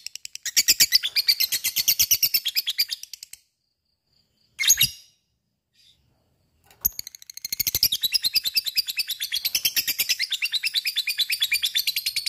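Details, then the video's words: Ngekek chatter of a lovebird meant to spur listening lovebirds to sing: a dense run of shrill, rapid notes, a silent gap with one short burst, then a long, steady stream of fast chirping. "Sekali denger LOVE BIRD akan trpancing untuk ikut ngekek fighter dan gacor"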